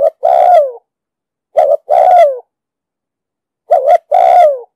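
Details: Spotted dove with a deep booming 'đồng sấm' voice, cooing in the 'thúc gù' style used to lure and train wild doves for trapping: three phrases, each a short two-part hooked note then a long falling coo, about two seconds apart, with a clean background.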